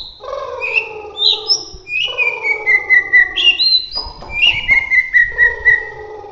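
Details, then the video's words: Bahorok white-rumped shama from Medan in roll tembak song: sharp rising whistles leading into rolling series of evenly spaced, slightly falling whistled notes, with a buzzy lower tone throughout and a short harsh burst midway. "suwara murai batu Bahorok gacor roll tembak"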